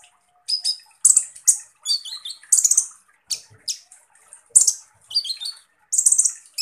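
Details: Harsh shot song from Van Hasselt's sunbird, locally kolibri ninja: sharp high chips, short trills and loud scratchy buzzes in uneven bursts over several seconds.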